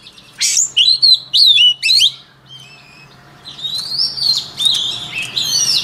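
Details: Rich song of a white-rumped shama for voice training: bold, looping whistles in rapid succession, a brief pause, then softer overlapping warbles.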